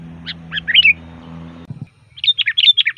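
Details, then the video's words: Bulbul lure song of a sooty-headed bulbul, a few scattered whistled notes over a low steady hum, then after a thump a quick string of bright chirping whistles. "Suara Burung Kutilang Gacor FULL VARIASI"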